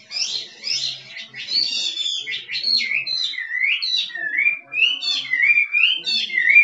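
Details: Chinese hwamei from the wild performing 'kích trống' song, pouring out rich, varied whistled phrases. Swooping and rolling notes come in a fast, nearly unbroken stream for almost seven seconds.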